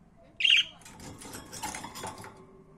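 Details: Pet budgerigar giving one short, harsh squawk, followed by a flurry of fluttering wingbeats and rustling.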